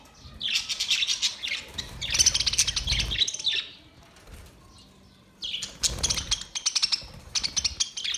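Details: Budgies on 22 May 2023 chattering in two dense bursts of buzzy, crackling high chirps separated by a short pause, with some fluttering wing sounds.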